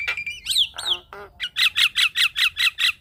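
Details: Javan myna tutor and prompting song for caged mynas: a few rising whistled notes and a harsh rasp, then a steady series of loud, squawky, rising-falling notes repeated about every quarter second.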